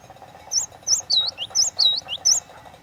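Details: Great tit (glatik watu) singing a run of looping, bent whistles alternating high and lower over a low background murmur.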